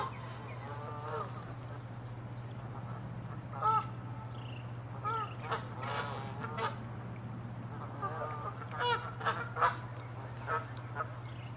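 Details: Canada geese fighting and chasing in territorial dispute, giving scattered harsh nasal honks, some in quick doubled bursts, spread over several seconds against a steady low hum.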